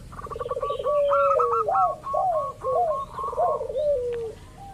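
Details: Local zebra dove calling in a lure recording to prompt other birds: a rapid stuttering trill, then a series of arched rising-and-falling coos, ending in a rolling descending phrase.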